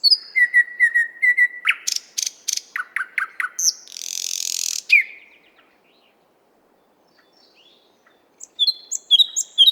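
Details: A nightingale in a Moscow park delivers a row of repeated short whistled notes, sharp clicks, descending slurs and a long harsh buzzy section, then a pause before high thin whistles resume.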